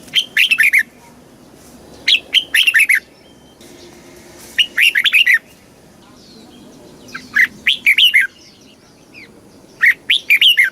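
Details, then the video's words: Red-whiskered bulbul singing the Thai southern master style, used to excite birds and teach young birds: five brisk warbled phrases of five or six whistled notes, repeated every two to three seconds. "เสียงนกกรงหัวจุก สำหรับต่อ หรือ เปิดให้นกคึก"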